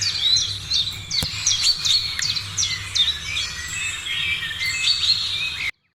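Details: Several birds chirp and whistle together in the morning, a fast, dense high chatter with one brief sharp click early on, until the sound cuts off abruptly into silence near the end.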